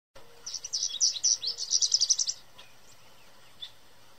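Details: American goldfinch singing loudly in a yard tree in spring, likely a mating song, gives a rapid, jumbled run of high twittering and sweet chattering notes for about two seconds, then stops; a faint low hum continues beneath.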